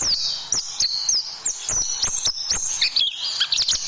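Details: Oriental white-eye, tutoring song for training caged birds: a continuous run of thin, high whistled sweeps and quick twitters, sliding up and down without pause.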